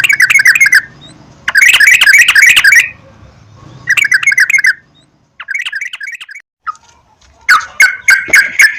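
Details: Yellow-vented bulbul song used as a lure for kept birds: several dense, fast chattering bursts separated by pauses, then scattered softer notes and a final quick run of chirps.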